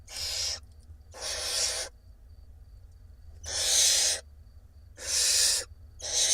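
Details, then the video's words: Hungry barn owl nestlings in an Israeli nest box, six young fed by their mother, April 2021; loud broad hissing screeches of under a second each, separated by short quiet gaps, four bursts heard. "Mom feeding her hungry 6 nestlings in the תנשמת LIVE Barn Owl Israel Cam"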